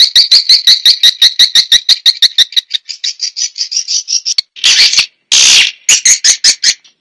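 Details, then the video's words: Swiftlet lure sound used to attract swiftlets: fast trains of sharp, high chirps, about two per second, with a steady rhythm that breaks into shorter bursts and a few louder, broader notes near the end. "SUARA TARIK WALET"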